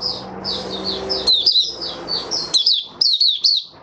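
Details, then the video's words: White-eye, a kept songbird, in an opening song session dated 08012022: a rapid run of high, thin chirped notes with sharp downward slurs, a short pause, then brighter twittering phrases, over a faint low hum. "Mata Puteh Raja Stablizing his form buka sing"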